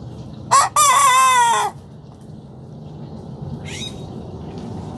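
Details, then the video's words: A young Sanjak cockerel learning to crow gives a clipped opening note, then a drawn-out, strongly harmonic crow of about one second that sags at the close. Later comes a brief, higher second call over a steady low hum. "Sanjak Cockerel starting to crow"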